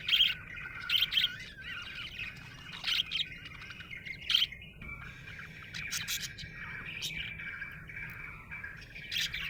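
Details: Budgerigar in a happy mood chirping: a burst of bright repeated chirps in the first four and a half seconds, then quieter continuous warbling chatter with occasional squeaks.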